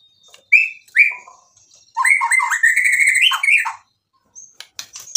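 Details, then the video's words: White-rumped shama in full song, used to provoke rival birds into answering: two loud rising whistles, then a long run of fast warbled, buzzy notes wavering and rising, ending in sharp clicks. "MURAI BATU GACOR bikin EMOSI lawan jadi NYAUT"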